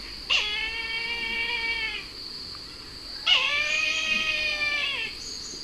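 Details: Brahminy kite calling twice: two long, plaintive mewing notes about three seconds apart, each held steady and then sagging in pitch, with constant background noise.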